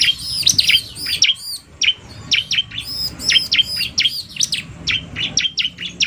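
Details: Narung male and quick female bar-winged prinia combined: crisp high tweets repeated in fast series, starting with curved whistled notes, then steadier spaced chirps.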